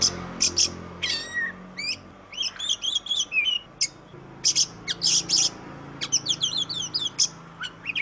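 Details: Kacer song, the oriental magpie-robin of Indonesia: high piercing chips and sweeping whistles alternate with quick warbled runs, melodious and varied, sung in short bursts.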